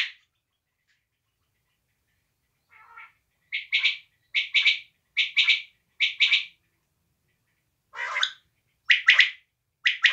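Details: Repeated call of a desi quail: after a quiet start and a faint note, about eight sharp, high, doubled or tripled bursts follow in a steady series, one harsher call breaking the rhythm near the end.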